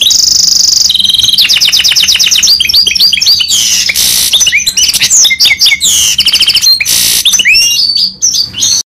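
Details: Goldfinch mule in a long, full rolling song: loud, continuous high twittering with rapid trills, buzzy rattles and sweeping whistled notes that change every second or so, with no clear gaps and no other sounds.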